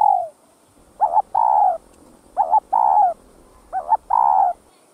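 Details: Spotted dove (cu đất) giving three repeated phrases about every 1.4 seconds, each a short wavering coo then a longer falling hollow coo, after a trailing coo at the start, with faint hiss behind.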